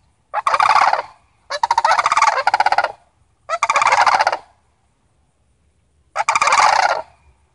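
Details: A family of Sandhill cranes visiting, calling in loud rolling, rattling bursts: four long throaty rattles about a second each, separated by short pauses, with quiet surroundings between.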